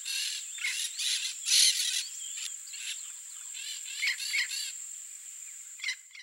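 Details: Wild, free yellow-faced parrots in nature give harsh, grating calls in short bursts, clustered in the first two seconds and returning near four and six seconds, over a steady high insect drone.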